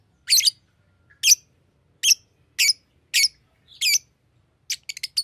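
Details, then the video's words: A green Fischer's lovebird sings and chirps: harsh, high chirps about every second, six in a row, then a quick burst of shorter chips at the end. "Lovebird singing and chirping sounds"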